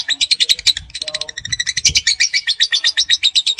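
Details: Young lovebird giving its long trilling ngekek song: rapid, bright, buzzy notes repeated about four times a second in a steady chattering run, with faint lower chirps in the background.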